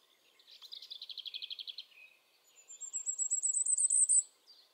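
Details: Common firecrest in song in the Eifel near Dohr, Germany, recorded on a Sony RX10 IV; a lower rapid trill opens, then the very high thin notes build in loudness and pitch over about one and a half seconds.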